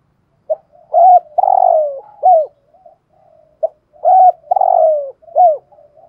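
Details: Spotted dove used as a decoy, cooing in 'giọng thổ' style: two similar low phrases, each a brief note, a bright coo, a long descending coo and a hooked closing note, with quiet murmur between.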